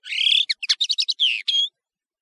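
A European serin sings a high, fast jingle: a rising buzzy trill, then about eight quick sizzling notes, ending in a thin drawn-out whistle, all under two seconds.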